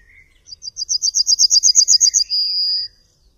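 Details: Yellowhammer (Emberiza citrinella) singing one full phrase: a quick run of about a dozen bright, evenly spaced high chips, ending in a long drawn-out high note held for about half a second. The background is quiet.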